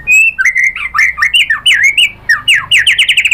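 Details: White-rumped shama singing lure material meant to set other shamas off: a continuous, lively medley of swooping whistles and twisting slurs, speeding into rapid repeated downslurred notes at the end.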